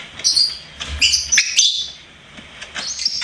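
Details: Pet lovebird chirping: a few high squeaky notes and a short rising whistle in the first half, then quieter, thinner chirps trailing off.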